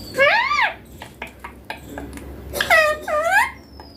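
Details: Indian ringneck parakeet, a green youngster reported to talk Hindi (mummy papa): three loud arched harmonic phrases, one at the start and two close together later, with soft clicks between.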